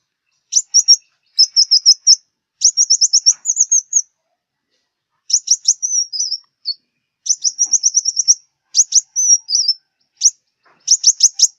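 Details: Five-coloured sunbird of the southern region, its song played as a lure for glue traps: very high, thin bursts of rapid ticking chirps and short trills, with brief twittering slurs between, broken by short pauses over clean, quiet background.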